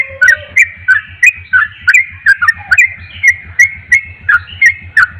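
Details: Persistent, energetic song of a Javan pied starling, strident whistled and clicking notes repeated about three per second with slurred, falling phrases and a brief low whistle near the start; a continuous low hum runs underneath.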